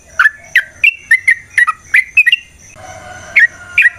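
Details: Yellow-vented bulbul in energetic fighting song, a long rapid lure meant to provoke rival bulbuls: short bubbly whistled notes, rising and falling, repeated about every quarter second, a brief pause, then two further notes.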